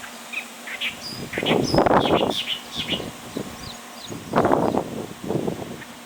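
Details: At Bhigwan in December 2023, a clamorous reed warbler gives two bursts of loud, harsh, croaking notes about three seconds apart, with thin high chirps scattered in between.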